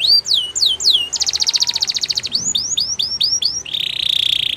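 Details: Singing Gloster canary used for training: bright downward-sweeping whistled notes, then a quick rattling trill, more descending slurs in a run, ending on a dry buzzy trill.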